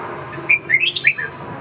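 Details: Single short phrase from a red-whiskered bulbul: five or six rapid, bright, slurred whistled notes rising then falling, over low background hum.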